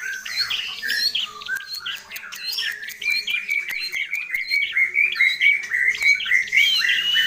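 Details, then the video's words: Cendet (long-tailed shrike) singing steadily with a full mimicry repertoire. Varied chirps and squawky notes lead into a long run of rapid, evenly repeated clear notes, with sharp clicks scattered throughout. "Burung Cendet Atau Pentet Gacor Isian Melimpah Komplit FULL Master"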